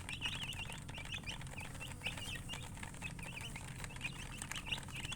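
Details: Murgi colored chickens peeping steadily, with short wavering high chirps repeating several times a second from a group of birds, and a low background hum.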